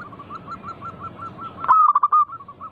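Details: Local zebra dove song used as a lure for other doves. A steady run of soft, evenly repeated coo notes gives way to one loud, rapid stuttering phrase near the end.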